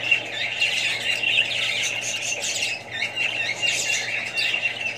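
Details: Australian budgies among more birds and young give shrill squeals and warbling chirps in a thick, continuous chorus, with a slight dip in loudness near the middle and a steady low hum.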